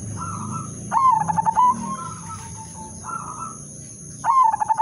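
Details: Zebra dove (merbok) of the udanmas silver line, lure song: a soft wavering coo leads into a loud, fast, stuttering coo phrase, and the pattern repeats about three seconds later over a low hum.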